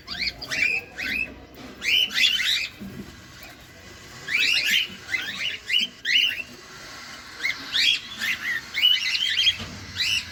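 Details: Pet cockatiel feeding close up: bursts of rapid chirping chatter with short pauses between groups, lively and repeated throughout.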